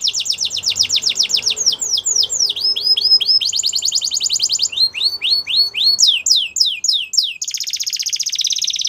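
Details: Belgian canary song made of changing tours: fast rattling trills, looping downward sweeps, a chopped series of falling notes, then a harsh high buzzing trill.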